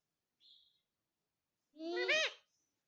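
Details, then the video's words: Caged or indoor pet parrot saying "mummy": a faint high squeak, a pause, then one loud, rasping, harmonic syllable that rises and drops sharply. "Mummy Mummy Bolne Wala parrot"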